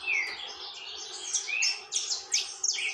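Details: Saffron finch named Tormento in nonstop song: a quick string of high, sharp, slurred chirps and rising sweeps, growing busier and louder toward the end, over a faint low background hum.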